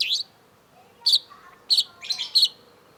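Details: Cendet, or long-tailed shrike, in lively tutor song: bursts of loud, rich high chirps with short buzzy trills, separated by brief pauses, plus a faint lower twittering.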